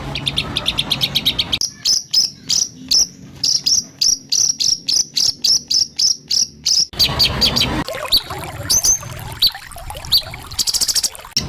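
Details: ["White-rumped shama song in rough 'tembakan kasar' shot style, used as training material for songbirds: rapid series of sharp high chips, then a run of evenly spaced clipped notes, ending in a dense, scratchy high jumble with abrupt cuts between passages."]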